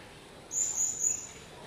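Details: A yellow-vented bulbul gives a thin, very high, wavering squeak lasting under a second at a nest where parents brood and feed day-old chicks, over faint background hiss.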